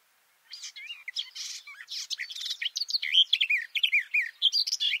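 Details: Sustained garden warbler (Silvia borin) song from a hidden singer in a bush, recorded up close from below: after a brief silence, a rapid babbling stream of rich, looping whistles and chattering notes.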